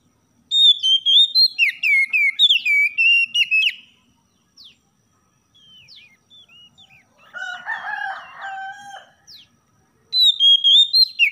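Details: Oriental magpie-robin singing in the morning, meant to stimulate caged birds. Rapid, bright whistled phrases repeat for several seconds, followed by a quiet gap, a harsher, buzzy, lower chattering passage, and then renewed clear whistling.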